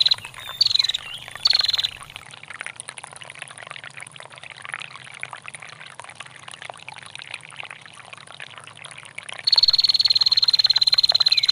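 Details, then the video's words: Female bar-winged prinia, long ngetir style: a brief rapid high trill at the start, then mostly trickling water, before a sustained fast ticking trill returns for the last two seconds. "SUARA PRENJAK BETINA GACOR NGETIR PANJANG DAN GEMRICIK AIR"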